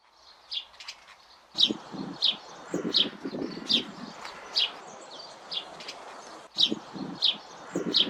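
Sparrow chirping: short, bright chirps repeated roughly every half second to second, with rustling and low fluttering noise underneath.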